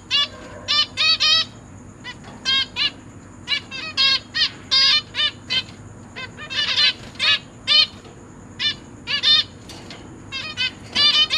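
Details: Captive zebra finch family, three juveniles and three newly hatched young fed by the parents: a long busy sequence of short nasal harmonic calls, often in pairs or triplets, repeated steadily throughout.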